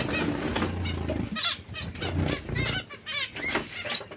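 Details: Zebra finch breeding pairs give a dense chorus of short, nasal, stacked-tone calls, some slightly rising, over a constant low droning hum.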